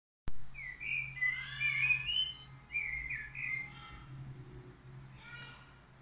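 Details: Crested lark singing: a string of clear whistled phrases, some sliding and warbled, starting after a sharp click, with a low steady hum in the background.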